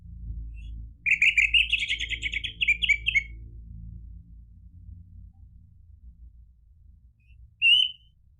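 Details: Orange-headed thrush singing a lure song meant to prompt a caged bird to answer and sing freely: a fast run of rich, warbled whistles for about two seconds, then quiet, then one short sharp whistled note near the end.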